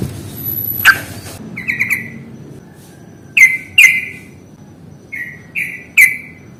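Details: Sooty-headed bulbul song in the fighting style, played as a lure to make lazy caged bulbuls sing: sharp, bright notes with falling tails, given singly and in pairs, separated by pauses. A brief clatter near the start.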